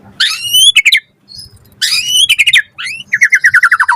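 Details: Lure song of a white-rumped shama meant to trigger other shamas to sing: rasping harmonic phrases with rapid clicks, a gap, another harsh phrase, then a steady run of about ten short descending whistled notes.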